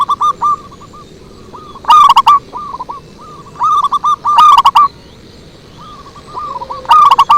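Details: Zebra doves in a lure recording, calling in overlapping series: loud rolling phrases of quick short coos every two to three seconds, interleaved with quieter cooing runs from more distant birds.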